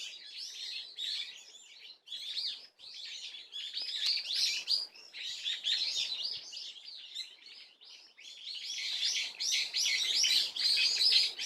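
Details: Swallow twitter from 30 April 2024: short bursts of quick, high chirping separated by small pauses, becoming denser and louder in the final seconds.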